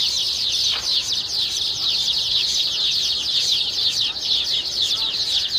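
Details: Baya weavers chattering in a crowd: a steady stream of high, wheezy chirps and rapid downward-slurred notes, loud and continuous throughout.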